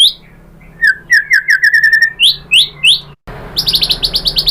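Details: Singing white-rumped shama, meant to prompt other shamas to answer: a run of quick rising chirps, a few higher upslurred notes, then after a short break a fast series of high notes over noisier background.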